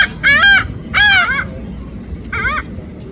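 Laughing gulls give three nasal, yelping calls, each about half a second long and slightly arched, oddly like a puppy's yips, over a low background rumble.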